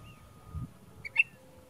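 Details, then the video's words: Ash-throated Flycatcher (Myiarchus cinerascens) in the Western United States, in desert or dry juniper canyon habitat, gives a quick, burry two-part note, a brief rough burst in a fairly high register, with a faint low rumble behind it. "Ash-throated Flycatcher (Song, Calls, Behavior)"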